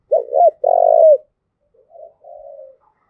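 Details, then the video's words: Spotted dove from Đồng Nai giving a thúc gù coo used to provoke and train decoy birds: two short bent coos, then a long buzzy pulsed coo, followed by softer, fainter coos. "tiếng cu thúc gù hay"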